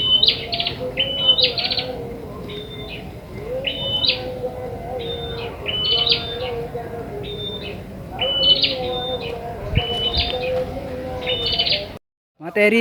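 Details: Ashy tailorbird in the wild, recorded as a lure for bird trapping: clusters of high piping and stepped whistled notes, repeated in bouts, over a steady lower buzzing background, ending in a brief cut.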